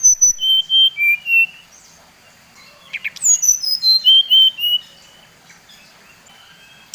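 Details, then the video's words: Brown-chested jungle flycatcher of the Bali type singing a lure song meant to rile other birds of its kind: two bursts of clear whistled notes, each run stepping down in pitch, with a quiet pause between bursts. "Suara SRDC Bali Paling di sukai srdc lain | Pancingan Srdc bikin srdc lain naik emosi"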